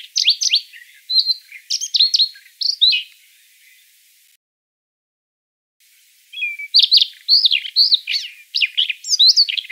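A Siberian rubythroat sings a fast, scratchy, varied warble of high chirps and whistles in two bursts separated by a brief silence.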